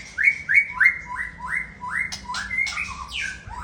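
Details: White-rumped shama (Murai Aceh) singing 'sembur isian': a fast run of about six matching rising whistles, each slightly lower than the last, then a crackling rasp and jumbled varied notes.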